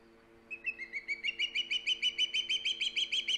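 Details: Osprey calling at its nest on Hog Island on 3 September 2019: a fast run of piercing whistled chirps, roughly three per second, climbing gently and growing louder, over a constant low electrical hum.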